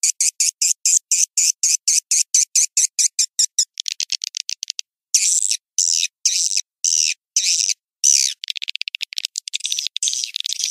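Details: Calling sound for farmed swiftlets in Indonesia: evenly spaced high chirps about five per second, then longer buzzy bursts and a fast, fluttering twitter at the end.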